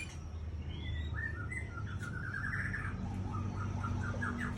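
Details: White-rumped shama, an adult female, giving a soft run of short whistled and chirping notes, rising and falling, over a steady loud low rumble and hiss.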